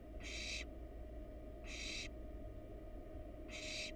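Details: Barn owl nestling, wild, inside a nest box while regurgitating a pellet: three loud rasping hisses, roughly half a second each, spaced about 1.5 seconds apart over constant low background hum.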